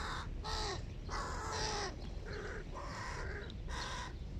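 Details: Large hooded crow chicks at breakfast give harsh, drawn-out caws in bursts of about half a second to a second, repeated several times over a low background rumble.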